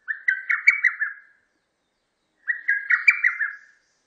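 A lesser cuckoo gives its quick, staccato phrase of five or six loud whistled notes, twice.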